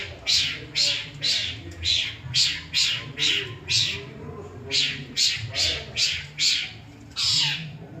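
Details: Long-tailed shrike (cendet) imitating other birds' calls: a run of about fifteen harsh, grating squawks repeated roughly twice a second, ending with a longer descending rasp, low hum behind.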